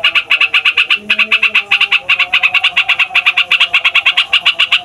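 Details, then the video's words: Fighter yellow-vented bulbul delivering a long rolling song to rile other songbirds: dense, rapid bursts of sharp chattering notes with one short gap near the start, soft background tones. "TRUCUKAN FIGHTER NGEROLL PANJANG BIKIN SEMUA JENIS BURUNG OCEHAN EMOSI"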